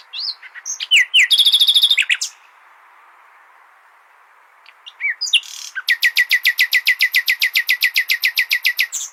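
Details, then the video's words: Common nightingale song played to train goldfinches: rising whistles and a fast pulsed trill, a quiet gap, then a long, evenly repeated series of loud chopping notes, about three to four per second, over faint hiss. "تغريد جميل للعندليب لتحفيظ طيور الحسون"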